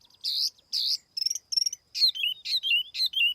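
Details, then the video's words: Tiểu mi laughingthrush used as a lure: two harsh nasal calls, then brief stuttering trills and paired bright notes dropping to lower whistles, repeated several times in a clean recording. "TIẾNG CHIM TIỂU MI MỒI KHÔNG TẠP ÂM CỰC CHUẨN"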